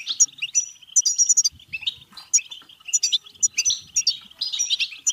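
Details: European goldfinch (Carduelis carduelis) song, meant to stimulate goldfinches to sing and breed: a fast, tinkling twitter of bright liquid notes and buzzy trills, almost without pause.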